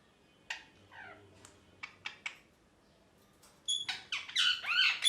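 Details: Happy parrot noises: scattered soft clicks and squeaky ticks at first, then a burst of loud, rising and falling raspy chirps and squawks that grows stronger toward the end.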